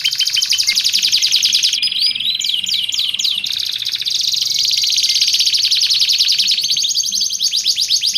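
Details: Canary song for teaching and attracting canaries: a long high buzzy roll, a brief cluster of looping whistles, then more continuous rolling trill.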